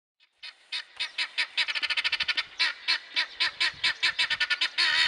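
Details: Helmeted guineafowl giving a long run of harsh, rasping cackles. The notes come rapidly, several per second, sometimes in tight bursts, and end in a louder continuous burst.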